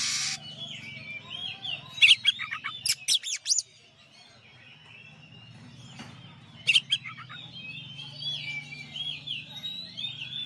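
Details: Champion Oriental magpie-robin master recording: clusters of sharp, high chirps and rapid descending notes come in two bursts. Between them, thin wavering whistles carry on, with a soft low hum throughout.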